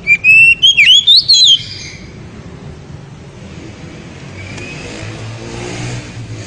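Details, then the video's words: Oriental magpie-robin singing loud ngeriwik-style song that excites the female: a quick run of clear whistled notes sliding up and down for about a second and a half, then quiet background hum and faint noise. "SUPER NYARING!!! KACER NGERIWIK HEBAT SEKALI BIKIN BETINA NGEPLONG"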